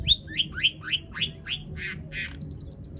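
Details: Long-tailed shrike in full song as a lure for rival shrikes: a run of upslurred whistled notes, two harsher buzzy calls, then a quick string of thin, very high ticks.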